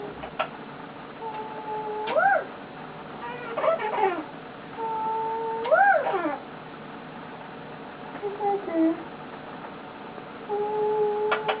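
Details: Pet male eclectus parrot lying on its owner indoors, contented, making soft whistled calls: level tones that bend upward into rising, wavering notes, several phrases with short pauses, plus faint clicks.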